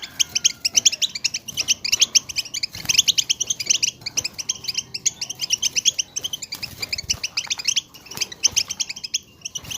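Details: Flock of European goldfinches giving collective chatter meant to stir other goldfinches to sing; continuous busy twittering of quick, bright, metallic notes overlapping throughout, barely pausing.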